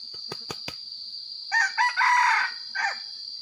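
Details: Red junglefowl used as a decoy to lure wild birds in the rainy season: a few sharp knocks, then a loud, harsh, broken crow in several hoarse bursts with a drawn-out middle phrase and a short final note.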